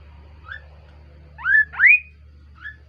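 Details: Kaso-kaso bird giving a lively, melodious call: two loud rising whistled slurs back to back, framed by softer short whistles before and after, over a low steady hum.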